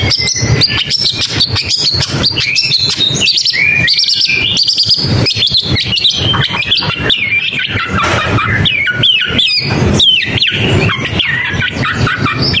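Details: Long-tailed shrike singing a long, rambling sequence of quick chirps, twittering notes and down-slurred whistles, fast and continuous, with persistent crackling noise underneath.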